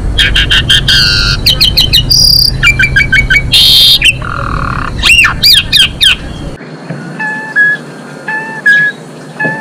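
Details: Lively song of a female Asian pied starling, meant to raise breeding drive in males: rapid clicking rattles, buzzy bursts and high looping whistles, then softer sparse whistled notes after an abrupt drop in background.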